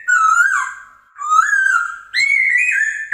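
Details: Chinese hwamei (Poksay Hongkong) song, used as a master recording to train and provoke birds: three loud, sustained whistled phrases with slight wavers, each about a second long, the last pitched higher and sliding upward, separated by short gaps.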